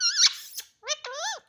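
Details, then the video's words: Talkative pet parrot in a small room producing a harsh squeaky squawk, then two short nasal, voice-like bent notes. "बहुत बोलता है बहुत बात करने बाला तोता"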